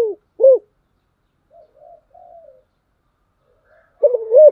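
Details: Decoy spotted dove giving low, rounded coos, a single note at the start and a doubled burst at the end, separated by soft faint chirps of other small birds.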